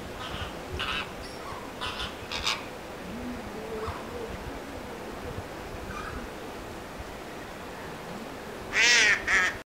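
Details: Greater flamingos at WWT Martin Mere, Lancashire: scattered soft honks and murmurs, then two loud, harsh, nasal honks close together at the end.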